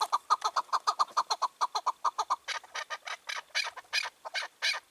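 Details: Rapid chukar clucking from a free-roaming wild partridge on a June 2023 evening: a quick steady train of sharp mid-pitched chuks, turning rougher and broader in the final seconds.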